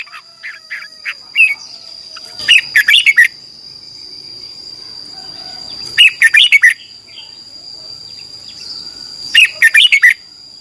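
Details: Red-whiskered bulbul morning song used as a training and lure sound: bright, rollicking bursts of four or five chirpy notes, repeated about every three to four seconds, with a steady high electronic whine behind.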